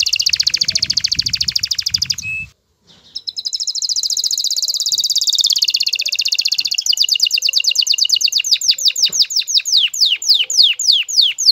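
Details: Aroused male canary courting a hen: a dense loud trill over low rumbling noise stops abruptly, then resumes as a long even trill that slows into distinct, quickly repeated descending notes.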